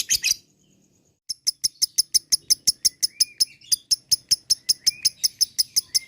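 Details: Lovebird ngekek used to rouse other lovebirds: a brief burst of chatter, a one-second gap, then regular sharp high chirps about three per second, with a few thin gliding whistles beneath.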